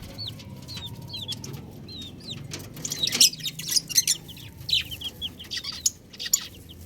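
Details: A flock of chicks peeps in thin, high, falling whistles, sparse at first and then denser. Rustling, tapping and clicking sounds grow busier in the second half.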